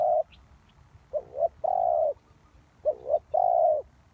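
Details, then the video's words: Spotted dove used as a trapping lure, giving low hollow coos: a short note, then a quick double-note followed by a long drawn coo, the phrase repeating; quiet background. "Sound Of Cuckoo Bird"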